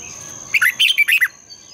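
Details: Red-whiskered bulbul singing in the morning in the long double-twisted voice style: one quick phrase of about six clear, warbled whistles, under a second, over a steady high electronic whine.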